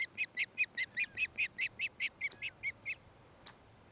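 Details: Osprey calling at its nest near Charlo, Montana, filmed by a camera on 26 July 2018 around five to six in the evening; a loud, regular string of piercing whistled chirps, roughly four per second, stopping abruptly, then one sharp click.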